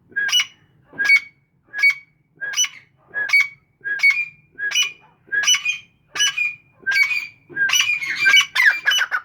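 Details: Captive grey francolins, known locally as teetar, give a loud rhythmic series of harsh, ringing notes, about ten evenly spaced at under a second apart, ending in a denser overlapping burst of calling.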